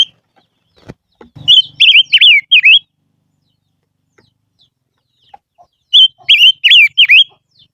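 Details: Silver-eared mesia in lure song repeats a phrase of about five undulating whistles twice. Low knocking and rustling come before the first phrase.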